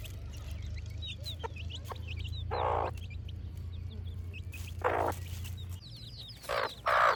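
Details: Village chicks on a morning, scattered thin, high falling peeps mixed with several short, loud, harsh bursts from larger chickens and a low steady hum beneath.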